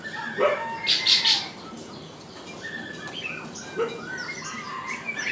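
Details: Three lovebirds perched atop a crape myrtle give a quick run of shrill, harsh chirps in the first second and a half, then softer scattered squeaky twitters over faint background hiss.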